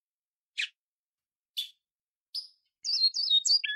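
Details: A great-billed seed finch in the short Araguari flute style, a song used to teach young birds, opens with three spaced chips, then runs into a clear, fluty, warbling whistled song.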